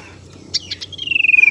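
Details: A brief tailorbird lure call used to attract or prompt singing: a few scratchy high notes, then a fast pulsing trill that drifts slightly downward.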